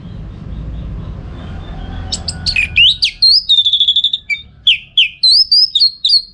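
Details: Orange-headed thrush song used as a training recording for song-contest birds, from northern Bali: after a low rumbling start, rapid high whistled and chattering phrases with sweeping notes, about three per second.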